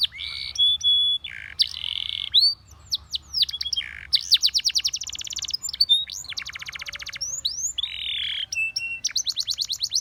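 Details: Russian singing canary in song intended to seduce other canaries: buzzy held phrases, sharp whistled slides, and several fast rolling trills in varied bursts, changing every second or two.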